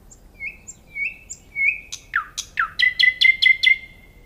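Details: Nightingale song of soft whistles swelling slightly in loudness, then sharp downward-sweeping notes and a fast, even series of six or seven loud repeated chips.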